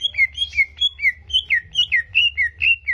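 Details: Greater green leafbird song, a recording played to provoke aggression, as in contest practice: clear whistled phrases alternating between high and lower notes, with slurred downward swoops repeated several times a second over a faint low hum.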